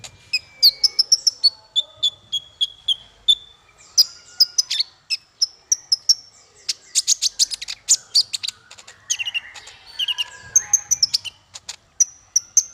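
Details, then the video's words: Long masteran bird song for training small fighter birds: rapid chips, steady whistled trills, a dense burst of fast chatter, then lower buzzy notes and high thin whistles. "Masteran paling merdu untuk burung faigter kecil"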